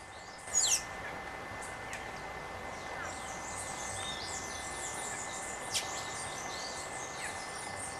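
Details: One of a pair of rufous-tailed jacamars (Galbula ruficauda) gives one sharp, high squeaky note early on, with a dense background of chirping birds and a steady insect drone.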